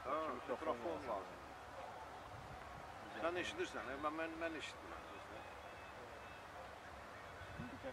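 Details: Greater flamingos at Hajiqabul Lake, Azerbaijan, on 1 February 2015, give harsh, goose-like honks in two bursts of several quick notes over a steady background murmur.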